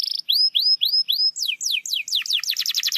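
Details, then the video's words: Lure song of a canary meant to get a quiet bird singing: four rising swept whistles, then a quickening series of steep downward notes that speed into a dense rattling trill. "PANCINGAN KENARI MALAS BUNYI"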